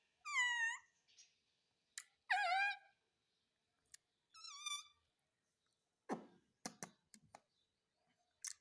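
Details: Parrot saying "mummy": three bright, harmonic, downward-bending syllables in the first five seconds, followed by scattered sharp clicks and taps.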